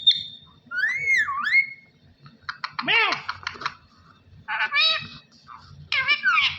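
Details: A parrot mimicking speech, said to be saying "Allah Hoo". A sliding whistle dips and rises, then come harsh, buzzy, word-like phrases in three bursts, ending in wavering squeaky tones over a low background hum.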